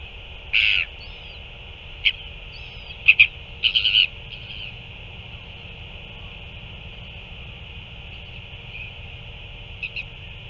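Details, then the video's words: Northern royal albatross at a chick feeding, 9 February 2024: a cluster of brief squeaky and clipped notes in the first four seconds, then near silence apart from background hiss and one faint note near the end. "Northern royal albatross"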